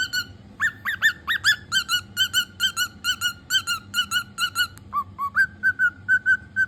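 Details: Pet cockatiel pipes a lively, tune-like string of bright whistled notes, starting with louder rising slurs, then steady paired beats at one pitch, dipping briefly lower near the end before resuming the even rhythm.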